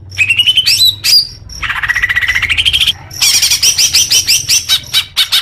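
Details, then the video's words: Leafbird singing as therapy for young birds, opening with rising whistles, then a climbing rapid twitter, then a burst of high jangling notes with a faint low hum beneath. "suara kicau murai daun untuk terapi burung bakalan"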